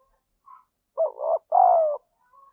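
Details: Urging coo of a decoy spotted dove meant to excite other doves quickly; a soft faint note precedes a clear double coo, the first part quavering and uneven, the second a smooth, longer hum gliding gently downward.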